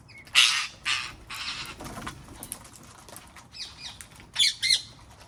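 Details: Wild parrots in a garden calling with loud, grating squawks: two quick cries at the start, a softer one after, then a closely spaced pair of harsh screeches toward the end.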